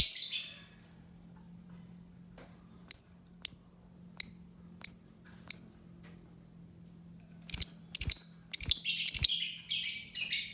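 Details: Lovebird starting with a harsh note, then five evenly spaced high chirps, ending in a dense cluster of overlapping chattering squawks; faint low hum beneath.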